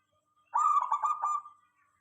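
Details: Zebra dove of local stock singing a lure phrase to prompt other doves to answer: a single bubbling, rapidly pulsed coo that tails into a faint steady tone.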